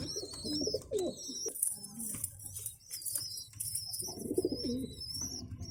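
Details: Feeding young pigeons give fast, high squeaking notes at about 150 a minute, alongside bursts of low gurgling from the adults and a flutter of wings.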